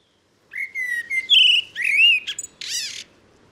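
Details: Common blackbird singing a varied phrase: low fluting whistled notes around a steady pitch, then a rising slurred whistle, ending in high squeaky twittering and a brief harsh flourish, against a quiet background.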